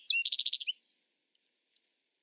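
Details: A short, fast trill of about seven sharp, buzzy notes from a Vesper sparrow. Near-silence follows, broken only by two faint ticks.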